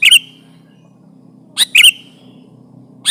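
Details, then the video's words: Sooty-headed bulbul, a lively bird used as a trapping lure and to press a rival, giving short, bright chirping bursts with a trailing whistled note, spaced by gaps of over a second, against a faint low hum. "Suara burung kutilang gacor menekan lawan, pancingan pikat kutilang ribut & kutilang diam"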